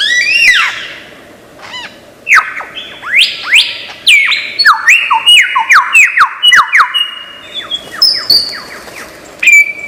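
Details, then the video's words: Imitative lyrebird of Australian forests pouring out a lively run of upslurred whistles, stepping tones and quick chirps, dense and varied throughout, ending with a sustained high whistle. "Lyre Bird Burung 1001 Suara"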